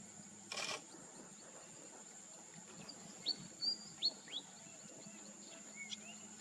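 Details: In Cambodia, a Pacific golden plover gives four or five quick, clear whistled notes, some slurring down and one rising, over a steady high insect whine and a brief knock.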